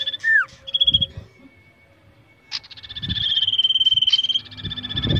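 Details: A kept common iora, being trained and tested for nerve, sings: a sharp down-slurred whistle and clear piping notes, then a long, fast, high trill held for over a second, with low thumps underneath.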